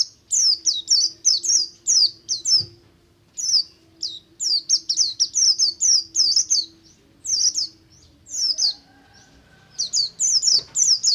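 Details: Oriental white-eye singing in buxtomi ngalas style, meant to make other kept white-eyes sing quickly; long rapid sequences of high, thin, falling notes interrupted by a few short silences.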